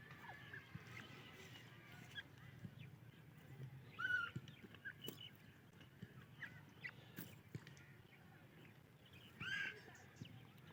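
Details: Female grey francolin calling to her mate and chicks: two short, loud, harsh notes about five seconds apart stand out over constant faint chirping of small birds and rustling outdoor background.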